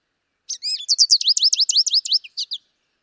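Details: In Wisconsin, an American goldfinch sings a bright, fast run of high, sweet, slurred twitters lasting about two seconds, the notes tumbling in a lively, uneven rhythm against a quiet background.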